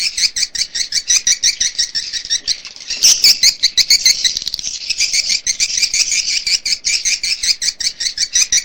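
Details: Swiftlet calls used by swiftlet farmers to draw birds into nest houses: fast, steady trains of high chirps, briefly becoming a dense, twittering chorus midway before returning to an even, pulsing rhythm.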